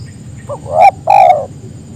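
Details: Spotted dove calling others to sing along, a soft short note, then a swelling coo and a longer wavering coo that fades downward, over low background noise.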